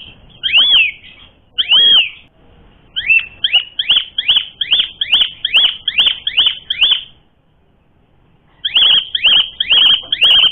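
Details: Asian pied starling singing to provoke fighting; two separate arched whistles, then a fast run of ringing notes, a pause of silence, and another quick burst of the same whistles.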